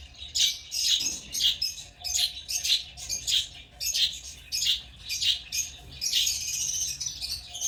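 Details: Shrill, scratchy chirping from African lovebirds, about a hundred notes a minute in a rapid, slightly irregular run, with a continuous high chatter near the end.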